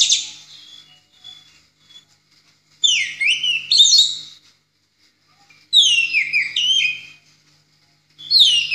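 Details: Orange-headed thrush, 'ngeplong' style song recorded as a master for tutoring other songbirds: loud, varied whistled phrases with sweeping slurred notes, each lasting about one and a half seconds, separated by pauses of roughly a second.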